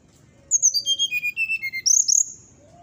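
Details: Brown-chested jungle flycatcher singing in its whistling 'nyuling' style, said to rile neighbouring birds of its kind: a descending run of about ten clear whistled notes stepping down from high to low, ending with a few bright rising high notes.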